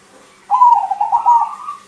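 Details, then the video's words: Crossbred zebra dove with a strong voice, singing as a lure for other birds. It gives a single long, bubbling, trilled coo phrase that falls slightly, then rises at the end. "PERKUTUT CROSSING GACOR SUARA BESAR UNTUK PANCINGAN"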